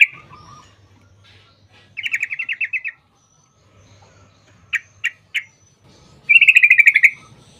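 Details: Yellow-vented bulbul with long 'ropel' song used as a lure for other bulbuls: a rapid rattling trill, three separate sharp notes, then another fast rolling trill.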